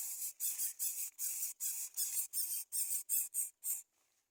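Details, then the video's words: Greater coucal chicks refusing to be fed fish, giving harsh, hissing squeals in about ten rapid bursts over four seconds, each roughly a third of a second long, before falling silent. "Greater coucal Baby Birds do not want to eat fish"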